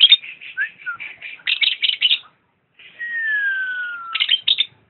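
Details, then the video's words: Lovebird song: high scratchy chirps in quick bursts, a pause, then a long, smooth, slowly falling whistle under a buzzy layer, followed by more sharp chirps. "kicau burung Lovebird"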